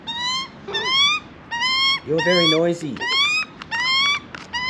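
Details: Juvenile Australian magpie, hungry and late to feed, begging for food in Australia: loud harmonic squawks with rising notes repeated about once a second, one lower nasal wavering call midway, and a person speaking briefly.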